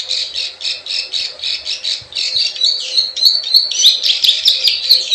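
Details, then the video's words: Plain prinia lure sound, buzzy pulsing notes that turn into sharper, squeakier chirps with high clicking ticks in the second half. "SUARA PIKAT PRENJAK SAWAH_KLIK KLIK_CIWAH TERBUKTI AMPUH"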